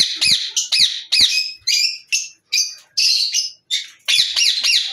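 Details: A pair of yellow Rose-ringed Parakeets give harsh, screechy squawks in rapid bursts, about two a second, loud and high-pitched with no other sounds.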